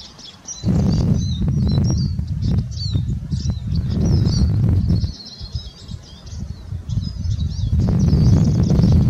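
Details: Eurasian siskin (Spinus spinus) singing a high, thin twittering warble with rapid wheezy notes running almost continuously, partly masked by loud low rumbling and flapping-like noise that comes and goes.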